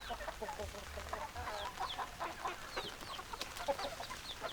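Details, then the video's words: Hens clucking in a busy, overlapping chorus of short bursts, with many birds calling at once and a low rumble underneath. "Chicken Sounds Noises Hens Clucking Roosters Crowing"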